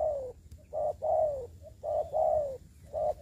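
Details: A decoy spotted dove used for trapping in Dong Nai, Vietnam, coos steadily. Deep, soft notes come in pairs, a brief one then a longer downslurred one, repeated about once a second against faint constant hum.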